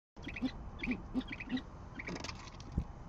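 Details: Great horned owl at a nest with eggs in Oklahoma City, recorded by nest camera at 6:40am on 10 February 2014 as the male delivers food; soft, low, short hoots repeat about every third of a second, with higher chattering notes above.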